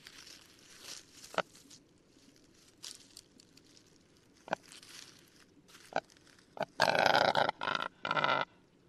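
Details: Male Western capercaillie (kurtinys) singing in a Lithuanian forest: widely spaced dry clicks that come quicker over time, then loud, rough, scraping bursts of noise near the end.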